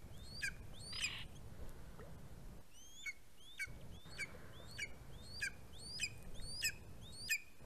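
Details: Greater spotted eagle at the nest on 11 August 2020, as the chick fledges and flies off the nest; high thin downslurred whistled yelps repeated roughly every half second over a low steady hum.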